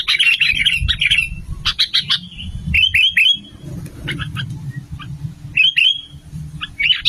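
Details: Sooty-headed bulbul song used as a lure for trapping, from male and female birds: dense chattering bursts of bright chirps and quick downslurred whistles, repeated with short gaps, low rumble underneath.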